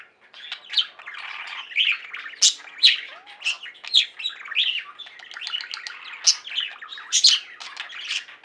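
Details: Budgerigars in a singing pet flock keep up steady chirping and warbling, with sharp high notes popping out roughly every half second over a murmuring chatter.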